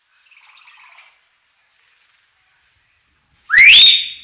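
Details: Common hill myna giving lure song: a short burst of buzzy, harmonic chattering notes, then after a pause a loud, sharp whistle that sweeps upward and levels off into a clear, ringing tone. No other sounds.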